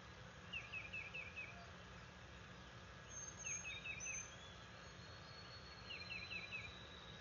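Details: Bald eagle at its nest on May 11, 2022, as a branch is delivered: three separate bursts of quick, thin, high chittering notes, each a run of about five descending chirps, spaced a few seconds apart over steady background hiss.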